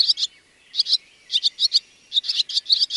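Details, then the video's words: Barn swallow twittering: sharp, high chip notes delivered in pairs and short bursts, separated by brief silent gaps, with no other sounds. "Barn Swallow"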